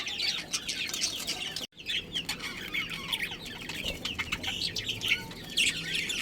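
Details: Budgerigars in a colony with a breeding pair, kept as pets, chattering continuously in dense high chirps and warbles that overlap throughout, with a brief silent break near the start.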